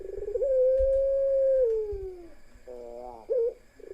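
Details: Ringneck doves of the pelung type in a cooing parade, one female among the males: a long, level, hollow coo that slides downward at its end, then shorter wavering coos, over a low rumbling background.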